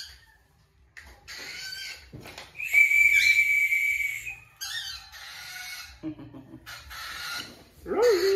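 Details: Pet cockatiel Sky during a morning recall-training routine, fed on an empty stomach, gives harsh, screechy calls and a long, steady whistle while the owner talks nearby.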